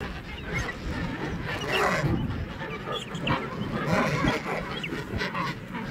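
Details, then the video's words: King penguins calling in a colony: a dense, continuous chorus of overlapping honking and trumpeting calls, several rising and falling together, over a steady low rumble that may be wind. "King penguin colony"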